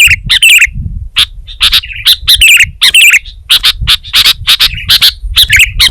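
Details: Vigorous singing from a sooty-headed bulbul (kutilang): rapid, uneven chirps mixed with short warbled phrases, bright and piercing, nearly continuous across the stretch.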